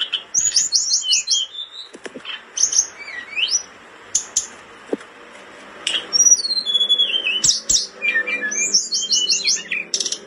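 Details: Blood-breasted flowerpecker, a caged bird in breeding condition singing energetically, used for tutoring other songbirds: high thin trills and rapid descending whistled notes in bursts, with short pauses and occasional clicks or wing flutters.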